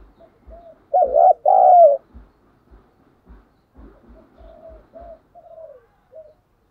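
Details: Caged decoy spotted dove provoking rivals to fight: a loud throaty double coo followed by a string of softer, shorter coos fading downward, over soft repeated taps.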